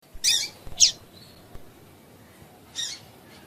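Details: Female double-collared seedeater calling to get males singing: two short, harsh, high chirps in quick succession, a pause of nearly two seconds, then a third softer chirp, with faint background hiss.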